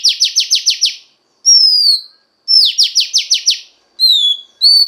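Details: Song of a female Oriental magpie-robin, used to stimulate a male. Two rapid bursts of six buzzy, descending notes, each followed by a long clear whistle that slides downward.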